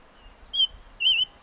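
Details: Two separate whistles from a chim ngũ sắc: a brief steady note, then after a short gap a longer warbling whistle with a wavy contour.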